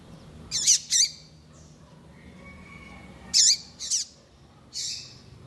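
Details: Female double-collared seedeater calling to excite and stimulate a male: high, sharp chirps in pairs and singles, each with a falling buzzy tail, spaced irregularly over several seconds, low background hum.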